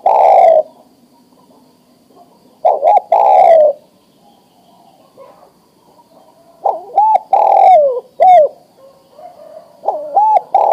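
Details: Adult male spotted dove ready to breed, calling a female: several coo phrases with short looped notes and long falling coos, some phrases carrying extra clipped notes, irregular gaps between.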